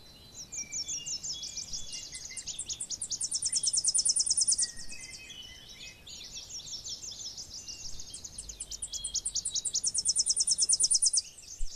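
Tennessee warbler singing two high, rapid songs. Each is a run of sharp staccato chips that speeds up into a dry, ringing trill. Faint insect hiss sits underneath.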